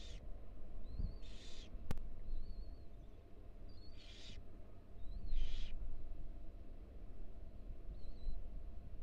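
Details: Female barn owl with four tiny nestlings in a nest box at the University of Florida: loud breathy hiss bursts alternating with thin, wavering high squeaks, over a persistent low hum and a sharp click.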